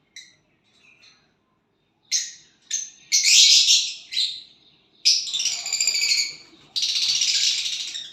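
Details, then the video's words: A violet bird, said to be singing when it gets a partner, gives a few faint, thin chirps, then loud, harsh, buzzy high-pitched bursts that grow longer, the last lasting over a second. "violet bird singing and chirping sounds when you get a partner"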